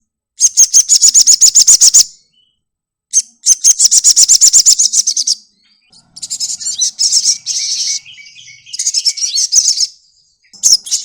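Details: Sogokontong bird giving very high, rapid buzzy trills in bursts of about two seconds, with short silent gaps between them. Later phrases become scratchier and more varied chatter.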